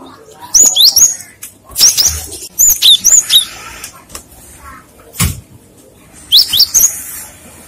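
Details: Cinereous tit (gelatik batu) lure song, singing vigorously so other tits answer: bright high whistled notes in quick two- and three-note phrases, repeated in bursts with short pauses between.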